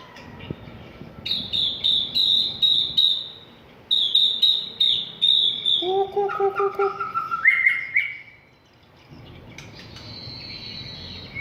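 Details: White-rumped shama song played to provoke a bird into singing and fighting: rapid runs of high, bright notes repeated in quick bursts, then a sequence of steady whistles climbing from low to high in steps, ending on a sustained high note.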